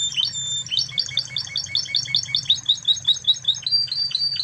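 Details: Spanish-origin Timbrado canary giving a lively run of bouncing chirps, each a quick rise and fall repeated several times a second, turning into rising slurred notes at the close.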